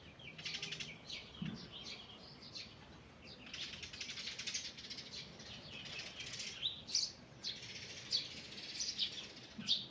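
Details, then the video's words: Morning birdsong in a forest: a dense chorus of high chirps and trills from several birds overlapping throughout, with a few louder sharp notes standing out near the end. "Morning Birds Singing in the Forest"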